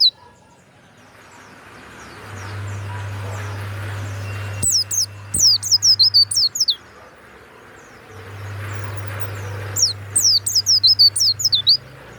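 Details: Two bursts of high, quick, downslurred chirping notes from a caged warbling white-eye valued for its loud, clear song, separated by a quiet pause with a low droning hum.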